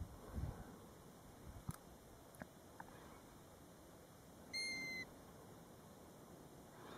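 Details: European golden plover calling near a nest seven feet from the roadside at Batsfjord, recorded from a car: a few soft knocks early on, then one clear, drawn-out whistle.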